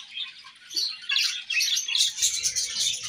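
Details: Several budgerigars singing and chirping during play, a busy overlapping high warble of quick scratchy chirps that swells louder after the first second, with faint low knocking near the end.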